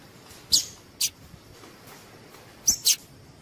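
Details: Female Double-collared seedeater calling to stimulate males to sing: two quick pairs of thin, high, squeaky chips, about two seconds apart, over light hiss.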